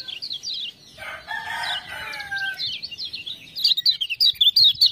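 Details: Lemon-bellied white-eye in ciak-ciak-prompted gacor song: opening high warbles, then a loud lower rooster-like call masks the middle, before crisp rapid high chirps return at the close.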